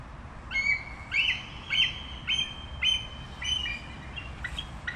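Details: Bald eagle chattering: a run of about eight shrill, slightly harsh whistled notes about half a second apart, each sliding briefly, fading toward the end, with light background hiss.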